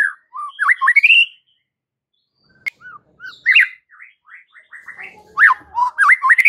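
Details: White-rumped shama song for training caged shamas: an opening burst of rising whistles, a long silence with a click, then softer varied notes building into loud swooping whistled phrases.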